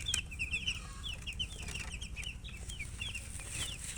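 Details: Several colour chickens chirping together, quick high peeps tumbling over each other without pause, against a low humming background.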